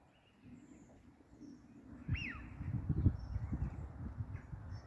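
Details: A single clear whistled wheeoo that sweeps up then drops away, from a Eurasian Wigeon in a close flock of ducks with Gadwall, on a misty, grey, overcast day. Steady low wind rumble and handling noise underneath.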